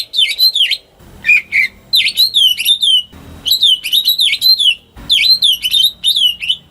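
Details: Domestic greater green leafbird for luring silent birds to sing, giving rapid looping whistles with sharp downward flicks in continuous phrases, with short pauses and faint knocking sounds between.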